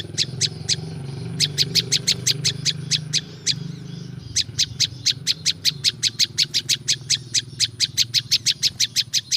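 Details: Prinia known locally as prinjak lumut, natural recording meant to attract wild birds: bursts of crisp, very high clicking chirps, first sparse, then a long rapid run after a brief break, with a low rumbling background.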